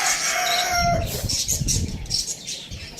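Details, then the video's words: A rooster crows loudly. The drawn-out, harmonic, strained end of the crow fills the first second. It then gives way to low clucking and rustling, while small birds chirp high in the background. "cute rooster crowing sound effect"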